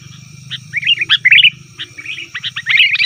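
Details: Busy chattering of sooty-headed bulbul, used as a lure for wild birds and said to set caged bulbuls answering: quick strings of liquid, warbling notes running almost without pause over a low electrical hum.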